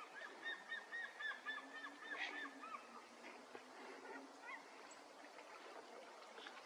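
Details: White-tailed eagle by a river in Mazovia, Poland, on a sunny day, giving a fast series of yelping, gull-like notes for about two seconds, then quieter scattered calls over a noisy outdoor background.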